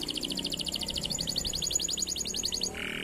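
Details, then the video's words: Canary song meant to prompt silent canaries into song: a steady rapid high trill of evenly repeated notes that quickens after about a second, ending in a short buzzy note, over faint low background noise. "PANCINGAN BIKIN KENARI APAPUN YANG MACET BUNYI LANGSUNG BUNYI"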